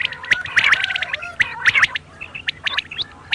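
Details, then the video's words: Quail calling at night, a run of short bright clipped notes in quick clusters of two or three, repeated about once per second, then fainter scattered notes toward the end. "super new quail call hd | bater ki boli 2021 | بٹیروں کی بولی رات کے لیے"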